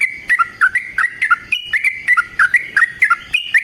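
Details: Yellow-vented bulbul singing a long fighting song as a lure: quick paired whistled notes alternating higher and lower, bubbling along rapidly in a bright, chattering rhythm.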